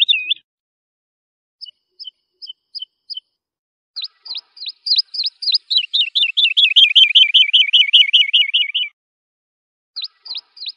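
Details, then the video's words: European goldfinch tutoring song for young goldfinches: a high, bright song of sharp ringing notes, building into a fast, slightly falling trill of rapid twittering phrases before the clear notes return. "تغريد طائر الولوال وتلقين صغار الحسون"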